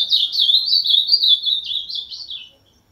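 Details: An ultramarine grosbeak (azulão) sings in 'máquina' style: a hurried, liquid warble of looping notes already underway, gradually softening and tapering off after about two and a half seconds into silence.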